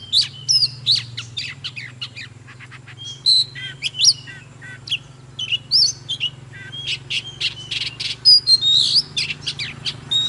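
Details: Oriental magpie-robin singing and dancing gives bursts of sharp chips and short whistled slurs with brief pauses between. A continuous low droning hum sits beneath.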